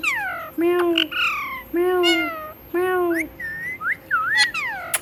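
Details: Pet parrot that repeats words like "Mitthu" utters three long, nasal, overtone-rich speech-like calls about a second apart, then closes with quick whistled slurs.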